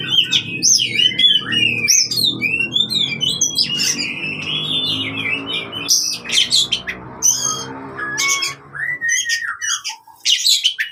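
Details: Oriental magpie-robin fighting song used to train birds that stopped singing: varied whistled phrases and sharp chirps, with a steady low humming background through most of the clip.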